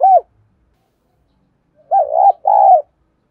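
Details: Captive decoy spotted dove luring wild birds to fight. One short coo is followed after a long silence by a wavering double note and a sustained, full, level coo.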